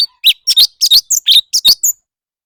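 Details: Competitive singing by a leafbird: bright, sharp chirps and slurred notes, some doubled, delivered in a rapid series of about nine bursts, then a short trailing note; a clean background.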